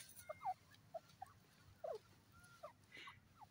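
A francolin gives short, soft clucking notes at an uneven pace, a few slurred chirps among them, over a low hiss of background noise.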